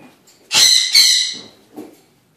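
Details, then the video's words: Pet Eclectus parrot indoors during an evening talking session, giving two loud, harsh, raspy squawks back to back, followed by a faint short note; quiet room otherwise. "Evening talk with Eclectus Parrot"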